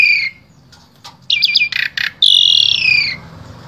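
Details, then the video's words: Asian pied starling in Wonosobo, Central Java, Indonesia, song used to teach other starlings: a falling whistle, a quick buzzy trill, two harsh notes, then a long, slightly descending whistle. "Jalak SUREN SUPER GACOR Full Isian Sangat Ampuh Dijadikan Guru Vokal Jalak Trotol"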